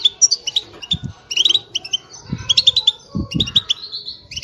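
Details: European goldfinch mating calls played to get a male singing and out of his moult; lively, tinkling high twitters in quick clusters, over a few soft low thuds.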